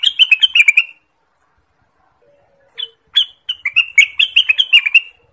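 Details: Song of an Orange-spotted bulbul from Indonesia, used for trapping lures and training other birds: two lively bursts of rapid chirping notes with a short pause between, no other sounds.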